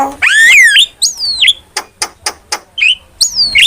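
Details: Starling training master and lure sound: a long loud descending whistle, then sliding whistles and a series of short dry clicks about every quarter second, ending in another whistled slur.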